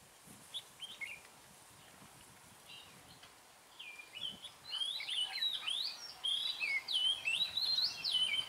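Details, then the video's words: Red-whiskered bulbul singing as a decoy to lure wild birds into a trap, on a cold day near a river: quick whistled and warbled phrases, sparse at first, then dense sweeping notes from about four seconds on, in overlapping bursts. "Bẫy chào mào xòe quá đẹp-- lạnh quá xịt bố nó mồi"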